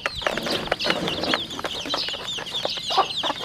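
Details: Rural home flock of 40-day-old chicks producing looping, slurred high peeps from several birds, with some softer, lower chattering notes and muffled knocks in between.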